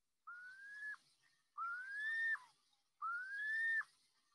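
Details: Piping Plover mating call, heard in springtime: three clear, slightly rising whistles, each under a second, repeated about every second and a half.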